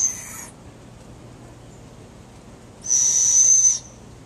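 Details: Female barred owl in captivity, noisy whenever a keeper comes into her enclosure, perhaps wanting food: two shrill, level, whistle-like screeches, a short one at the start and a longer one about three seconds later.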